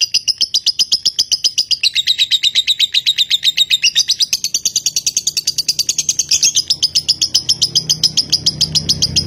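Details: Caged lovebird bred in Nganjuk, singing in the konslet style of long continuous song: a rapid, unbroken stream of high, sharp chirps, about four per second, for over nine seconds. The pitch wavers up and down, with faint low background noise near the end.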